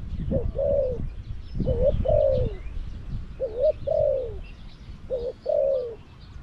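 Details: A caged decoy Spotted dove at Song Phi Nong, Thailand, calling to lure wild doves: three clear phrases, each a brief rising note and a sustained falling croo, spaced about two seconds apart over light rustling.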